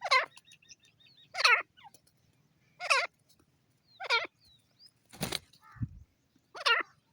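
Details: Grey francolin (bhura teetar) giving six loud, shrill, ringing calls about 1.3 seconds apart, each note bending downward. A broad rushing burst and a low thump sound between the last calls, with quiet low hum beneath.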